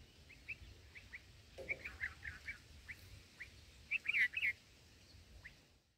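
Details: Nestling black-headed bulbuls being fed, from an unattended camera fixed near the nest: scattered single chirps, then a loud tight cluster of harsh, excited notes midway, fading again to sparse chirps against a low hiss.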